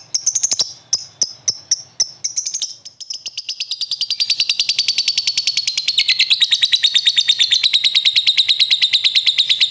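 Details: Lovebird, a prospect bird, joining in to answer another with a long ngekek: a few spaced high chips, then a fast, continuous chattering trill of shrill notes that keeps building to the end.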